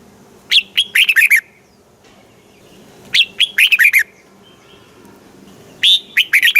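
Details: Red-whiskered bulbul from Thailand, a caged bird in southern master-style song meant to stir and train other bulbuls: three rollicking phrases of fast bright notes, each with falling slurred whistles, spaced roughly two and a half seconds apart.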